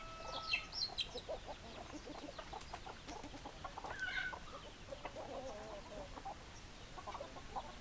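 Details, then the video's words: Flock of chickens with hens clucking: dense overlapping short clucks, and a few louder higher squawky notes near the start and middle, all from many birds at once. "Chicken Sounds Noises Hens Clucking Roosters Crowing"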